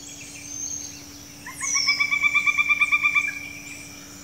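A pileated woodpecker gives a rapid, ringing series of about fourteen even notes lasting under two seconds. A thin, high descending whistle and a steady low hum run underneath.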